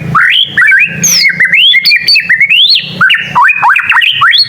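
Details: Young white-rumped shama learning to sing, its song drawing answers from other shamas; clear whistled phrases leap up and down in quick succession, slurred upward notes and short chattering bursts, over a faint low hum.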